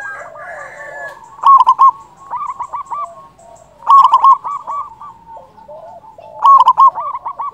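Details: Local zebra dove with a loud voice, used to lure doves for trapping and stimulate them to call. Three loud rapid coo bursts spaced about two and a half seconds apart, with background doves cooing softly.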